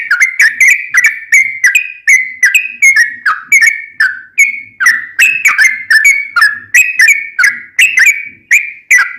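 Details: Sooty-headed bulbul recorded for caged-bird training, continuous series of sharp whistled notes with a bubbly feel, roughly three per second, varying slightly in pitch throughout.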